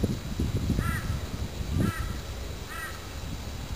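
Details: Magpie-lark (peewee) near a nest where eggs seem to have hatched, 14 November 2010: three short, ringing, slightly nasal notes about once a second over a steady low rumble of wind or distant traffic.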